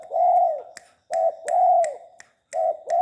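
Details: Cooing from a tame spotted dove: mellow, low hoots repeated about once a second in short-then-long pairs, over a background of sharp ticking clicks.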